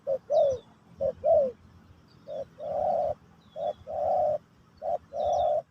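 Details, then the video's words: Spotted dove, Pesom/Kacuk style song for training a new bird: short falling coos, then alternating short and long steady hollow notes, with faint high thin whistles from another bird in the background. "Burung Terkukur Pesom/Kacuk...Sesi Mengajar Burung Baru"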